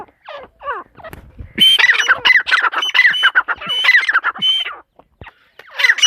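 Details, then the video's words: Hen partridge (teetar) giving soft descending notes, then a loud sustained stretch of rapid, rasping squawks with a thin high whistle running through them. "mdi ke Awaz # tetar sound # Teetar Voice"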